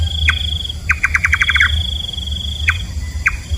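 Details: Nightjar, locally called kaba, a night-feeding bird: one short note, then a fast string of about eight falling notes, then two more isolated notes, with a high continuous whine behind.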